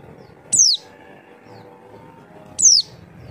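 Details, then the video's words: Lure call of a white-eye played to prompt birds to reply: two single sharp, high whistles, each dropping quickly in pitch, spaced about two seconds apart over quiet background. "Suara Burung Pleci memancing bunyi"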